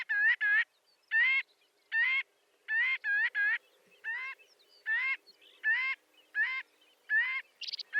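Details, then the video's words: Marbled godwit repeating nasal, rising honks, single or paired, roughly one to two per second over several seconds, with a faint low hum behind the bird. "Marbled Godwit Sound"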